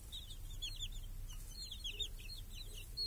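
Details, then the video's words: Chicks with a hen in a village, grazing under a cage that shields them from crows and hawks, clear summer day; clusters of short, high, arching cheeps with brief gaps between bursts. "Chickens and hen in the village | Sounds with chicks on a clear summer day"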